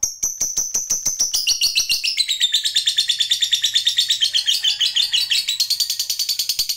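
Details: Lovebird of the fighter type delivering a long ngekek, an extended rapid chatter: high, dense notes that start slower then run together at about three per second, sliding down slightly and climbing again near the end, in a quiet indoor setting.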